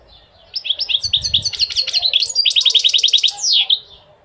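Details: Goldfinch in full song: quick, bubbling sequences of high chirps, one run of evenly repeated notes, ending with a sliding downward buzzy slur, all bright and metallic.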